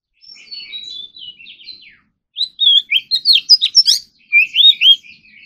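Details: Oriental magpie-robin, a kept ornamental bird, in morning practice singing full of varied filler phrases. Soft descending whistles give way to a loud rapid string of sharp slurred notes and bright whistled flourishes.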